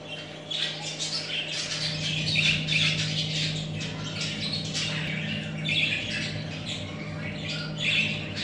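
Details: Budgerigar chicks chirping and squawking in a busy, overlapping chorus of raspy, high calls, several each second, with a steady low electrical hum underneath.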